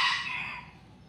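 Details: Morning chicken call from a backyard: the loud, harsh tail of a crow that fades away within a second, with a steady low background hum.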